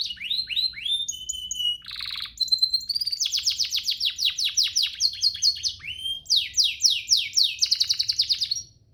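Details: Master song of a canary for training: descending whistled notes, a clear high tone series, a short buzzy burst, then long runs of rapid falling notes and a fast trill closing the phrase.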